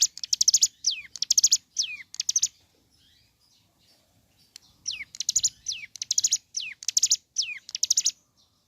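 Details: Hill prinia (ciblek gunung) singing in the morning. Two bursts of rapid, buzzy, high chattering phrases, each broken by sharply falling whistled slurs. About a second and a half of quiet separates the bursts.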